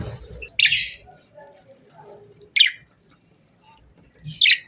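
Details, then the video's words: Parakeets chirping softly, kept as pet budgies: three bright, short chirps spaced about two seconds apart, with a quiet murmur of lower chatter between them. "Parakeets Chirping Sounds"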